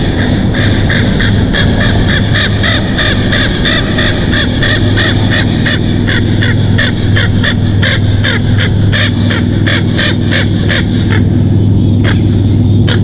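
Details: Wild bald eagle calling from a Big Bear Valley nest, monitored by a live cam, evening of 19 July 2023; a long run of quick, sharp, squealing chirps, rapidly repeated, with a constant low electrical hum beneath.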